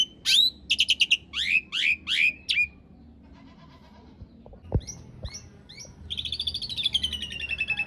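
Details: Asian pied starling song as a cage-bird training master, rough long-roll fill: a series of sharp upswept whistles, a quiet gap with a few clicks, then a long, wavering, chattering roll.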